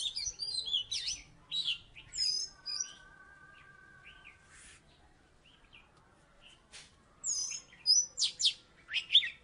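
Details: Former third-place contest Oriental magpie-robin from Salatiga: scattered bursts of sharp whistles and chatter, a steady mid-pitched tone held for about two seconds, then a quiet gap before the song returns.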